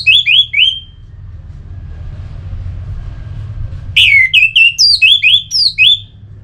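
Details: Orange-headed thrush (anis merah) song from Singaraja, northern Bali, used as therapy to make kept birds sing. Three quick, high, downslurred whistled notes, a pause, then a louder run of about eight sharp, varied whistles over a low hum.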